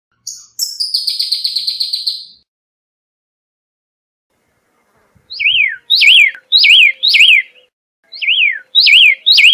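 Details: Pyrrhuloxia, the desert cardinal of Arizona scrub: an opening rapid dry chattering trill, then a pause, then a series of sharp zigzag whistled notes dropping in pitch, repeated in clusters roughly twice a second.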